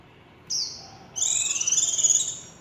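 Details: Warbling white-eye in líu chòe song: one high slurred note, a short pause, then a long, bright, rapidly trilling warble that pulses quickly for over a second.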